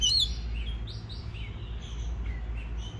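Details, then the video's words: Oriental magpie-robin singing, used to stimulate other birds to sing: thin whistled notes, some sliding up or down, scattered across three seconds, a brighter phrase at the start, over a steady low hum. "Choè than hót kích bổi nghe là hót"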